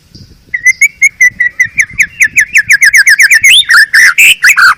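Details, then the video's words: Long-tailed Medan male white-rumped shama singing for tutoring caged birds: a rapid regular train of short chipping whistles, about two to three per second, accelerating into a richer, varied warble at the end. "Suara Murai batu Medan super"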